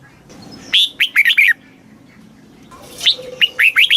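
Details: Caged-bird training song of a red-whiskered bulbul in the southern master-phrase style: a loud whistled phrase of five or six swooping notes, a short gap, then a second phrase beginning.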